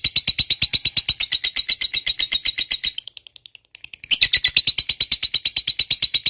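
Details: Long ngekek chatter from a lovebird fighter, meant to coax silent lovebirds into song: rapid, shrill, buzzy notes stream for about three seconds, then stop for about a second, then resume just as fast.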